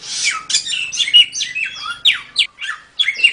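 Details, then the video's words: Mongolian lark (samyong) in tembak-style training song for songbirds: varied chirps, whistles and sharp sweeping notes in irregular clusters separated by short pauses. "Suara Burung Samyong | Gacor"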